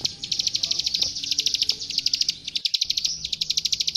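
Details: Prenjak sawah or klik klik, the plain prinia, recorded as master song for young birds: a rapid, high, sharp ticking trill that cuts out briefly near the end, then resumes at a slightly slower, clearer pace.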